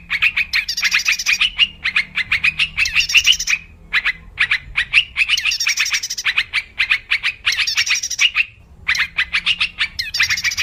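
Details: Yellow-vented bulbul, wild, in a lure recording for trapping: lively chattering phrases of rapid, clipped bubbly notes lasting a second or two, with short pauses between bursts and a soft low background hum.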